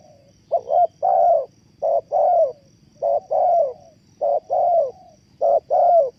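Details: Spotted dove serving as a trapping lure, repeating mellow low coos: each phrase a clipped first note and a longer wavering second note, about one phrase per second, over a steady faint hum.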